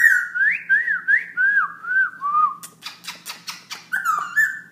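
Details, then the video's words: Black-throated laughingthrush singing nonstop at 11 pm with rich, looping whistled phrases that slur up and down. It breaks into a burst of sharp clicking notes, then returns to whistling. "Black throat laughing thrush night song"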